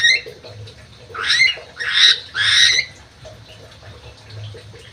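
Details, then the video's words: Crewet kept in an aviary in Indonesia, giving three loud, harsh, buzzy bursts in quick succession around the middle, with quieter scratchy notes and low background hum before and after. "BURUNG CREWET"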